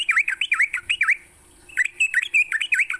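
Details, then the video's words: A sooty-headed bulbul sings in the morning for songbird training: clear V-shaped whistled notes repeated about three per second, a short pause, then a second run, with a thin high hiss throughout. "Pancingan TRUCUK PAGI hari, bikin trucukanmu gacor sepanjang hari."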